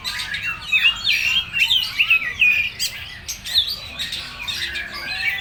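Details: Kacer (oriental magpie-robin) performing a full materi song: rapid varied whistles, rising and falling slurs and sharp chips, loud phrases repeating about every half second.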